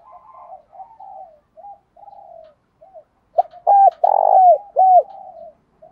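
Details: Spotted dove decoy's calling coo, played daily to train and stir up other doves: several faint, low coos, then a loud run of deep, rounded notes rising and falling, the middle one longest.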